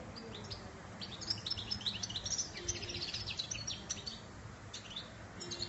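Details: European goldfinch singing a continuous, fast twittering song of bright, high chirps, trills and short buzzy notes, tumbling without pause across the whole stretch over a low steady background hum.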